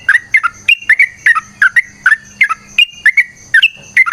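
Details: Sooty-headed bulbul song in a fighting, long-trilled style: rapid bubbly whistled notes in pairs, roughly three a second, each pair dipping and rising, over a faint low hum.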